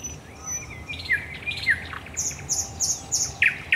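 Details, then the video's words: Night-time song of a thrush nightingale, Raszyn Ponds, Poland, 10 May 2021. Mixed slurred and falling whistled notes give way to a string of high double notes repeated evenly, closing with loud harsh strokes. "Nocny śpiew słowika rdzawego na Stawach Raszyńskich"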